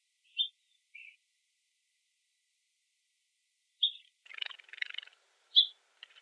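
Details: Scrub jay giving short high chirps, two early notes then a pause, followed by a cluster of harsh buzzy notes and a final sharp chirp, in a quiet setting.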